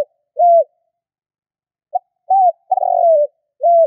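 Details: Spotted dove lure call for hunting. An isolated arched coo is followed after a pause by a full phrase: a clipped note, a bowed hoot, a long rough descending coo, and a closing arched note.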